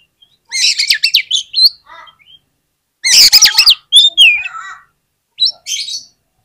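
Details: Oriental magpie-robin singing, used as a lure to make other magpie-robins respond: rapid, varied phrases mixing buzzy rasps with sharp, looping whistled notes, delivered in three dense bursts separated by short pauses.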